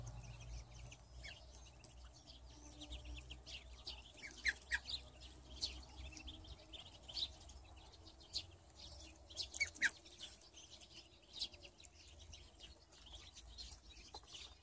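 Muscovy ducks give thin, high chirping peeps, scattered and overlapping, with brief bursts near the middle and end, over a steady background hum.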